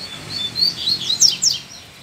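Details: Double-collared seedeater male, loose and stirred by a female, giving one short song phrase of quick high chirps and slurred whistles that rise and fall, ending in two sharp downward notes; quiet background.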